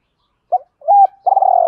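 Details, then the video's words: Spotted dove lure call for training: a short opening note, a sustained level note and the start of a long trembling coo, close and clear. "Tiếng chim cu gay mồi gáy gọi, tiếng cu đất gáy hay"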